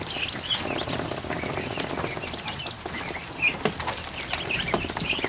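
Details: Over a hundred newly hatched ducklings in a barn kiddie pool during an afternoon, sharp high peeps scattered through the clip against constant splashing, paddling and fluttering.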